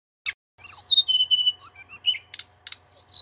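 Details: Short phrase from a male Sunda robin used to tutor magpie-robins: a chip, then clear falling and level whistles, followed by two sharp clicks and a final thin whistle.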